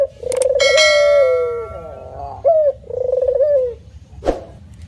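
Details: Cooing of a male spotted dove, with drawn-out low, slightly wavering hoots, a short higher note, then another rolling coo; a bright ringing tone and a sharp knock are also heard.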